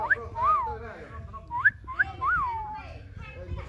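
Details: A Common myna gives a few clear, voice-like whistled notes, some arching up and down and others quick upslurs, spaced over a few seconds against a low background hum.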